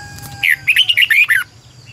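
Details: Red-whiskered bulbul used as a decoy to train other birds: a lively one-second phrase of about seven quick, bright warbled and chirped notes, with a faint low hum behind.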